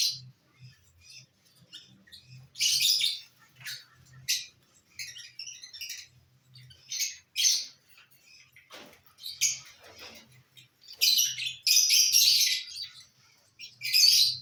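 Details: Sparse, shrill chirps and rasping squawks from lovebirds eating corn on the cob on 18 December 2022, spaced by quiet gaps full of faint clicks and low tapping, ending in louder chattering bursts.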